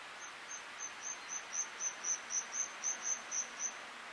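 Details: A Northern Wheatear (Oenanthe o. oenanthe) at Akamas, Cyprus, in April 2023 gives a steady run of sharp, high, clicking ticks, about three each second, over a soft background hiss.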